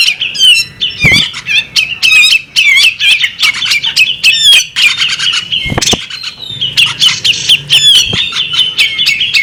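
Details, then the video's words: Rapid, chattering song of a female bearded magpie robin: dense chirps and twisting whistles, several sharp snapping clicks, and a short break near the sixth second. "the alluring sound of a female bearded magpie robin"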